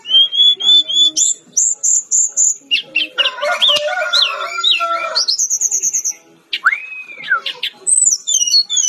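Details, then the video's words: Masteran song of a brown-chested jungle flycatcher: steady series of high repeated whistled notes, a dense burst of mixed chattering phrases, then more high whistles and an arched slurred note. "Masteran Burung SRDC Gacor || Sikatan-Rimba Dada-Coklat"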